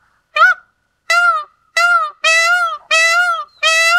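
Indian peafowl giving six loud, nasal, trumpeting wails in quick succession, each about half a second long, with no other sounds.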